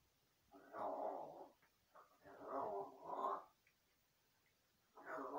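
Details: Large-billed crow mimicking human speech and talking to itself: a string of hoarse, harmonic, voice-like syllables in uneven bursts, with pauses between phrases, over a soft background hiss.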